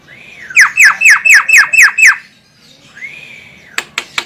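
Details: Javan myna, female, calling to lure birds: a rising whistle, then seven quick descending squawky notes, a pause, another arched whistle, and a few sharp clicks at the end.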